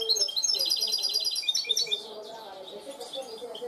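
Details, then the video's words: Cante limpio goldfinch hybrid pouring out a rapid string of bright, repeated twitter notes that fade into softer scattered chirps, with a low hum in the background. "mixto de jilguero educado a cante limpio"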